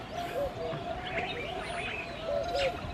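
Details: Male Red-eyed Dove courting in The Gambia, West Africa, giving low, throaty coos in short repeated phrases, with thin higher chirps from other birds behind.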